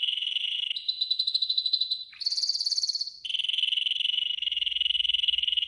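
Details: Training song of a yellow golden canary: steady rapid pulsed rolls, a brief higher whistled trill, then a long, even rolling tour, all clear and close with no background.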